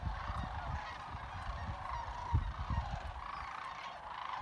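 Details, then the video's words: Sandhill crane flock at Jasper Pulaski Fish and Wildlife Area, trilling and chatting in a steady crowd-like chorus, a few louder rolling trills emerging, over low rumbling background noise. "Sandhill cranes trilling and chatting"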